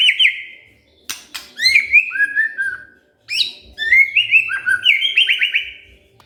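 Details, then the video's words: Excited white-rumped shama answering in rich song after being provoked. Bursts of sliding, rising and falling whistles alternate with sharp clicks, ending in a quick run of upswept notes. "tidak nyampe 3 menit murai TERPANCING emosinya, nyaut GACOR"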